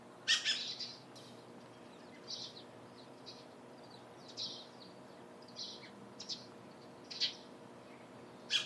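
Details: Dusky Thrush around Lake Hamana and the Kanzanji hot spring area in Japan: sparse, sharp, high single call notes spaced about a second apart against a steady low background murmur.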